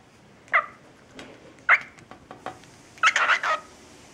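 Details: A pet cockatiel, taught the phrase in one day, says "peek-a-boo" in short, squeaky, speech-like syllables, as it does whenever raised and lowered in front of a mirror.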